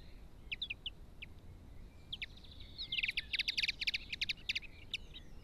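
Linnet song: scattered high chirps give way to a fast, bright twittering burst of dry trills. Faint background hiss.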